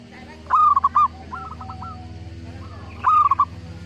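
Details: Zebra dove singing often in a broken-voiced style, suited as a lure for birds that will not sing. Two loud trilled coo phrases about 2.5 seconds apart, a softer phrase between them, over a steady noisy hum.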